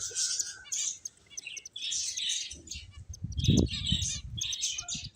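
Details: High twittering chirps from a group of finches come in quick clusters, while low rustling and a thump swell in the second half.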